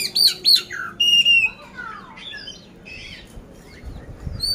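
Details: Oriental magpie-robin, a caged contest bird from Magelang, Central Java, opening with loud looping whistles and a long level note, then softer twittering fragments as the coarse-fill song trails off.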